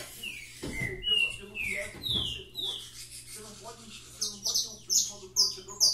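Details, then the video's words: Saffron finch song opens with clear downslurred whistles over Portuguese speech, then a quieter gap, then a burst of very high, sharp chirps at a quick pace. A low hum continues underneath. "canário da terra cantando"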